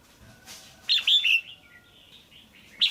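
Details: Caged female red-whiskered bulbul calling to attract or stimulate a male: one loud phrase of three quick slurred notes, then the start of another, over faint warbling from other birds.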